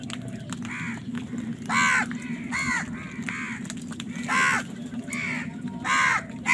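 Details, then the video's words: A busy run of crow caws during a fight over food, loud harsh calls mixed with quieter ones at irregular intervals, over a low droning hum. "কাকের ডাক Crow Sound Crow ki Awaz Loudly | Crow bird Fight for Food"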